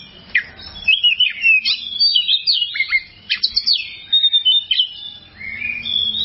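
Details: Oriental magpie-robin singing in a training recording for kept birds: a dense run of quick chirps and sharp up-and-down whistled notes, then a softer sliding whistle at the end.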